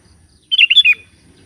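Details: Sooty-headed bulbul calling its companions with one crisp phrase of liquid, tumbling whistled notes, over a faint low background hum.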